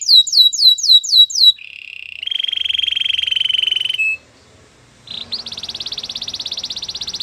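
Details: A white canary gives a few falling whistled sweeps, then long buzzing and pulsed trills, a brief pause, and a high, rapid rattling trill to the end.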